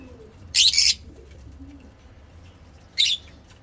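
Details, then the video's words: Two harsh, buzzy screeches from breeding lovebirds, the first longer and the second shorter, with quiet background noise between. "Lovebirds singing lovebird talking"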